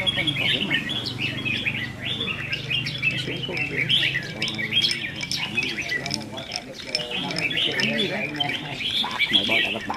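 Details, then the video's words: Caged red-whiskered bulbuls in a singing contest on 15/5/2021: bright, jumbled chirping and warbled phrases run throughout, with a man talking steadily underneath. "Chào Mào Đấu Hót"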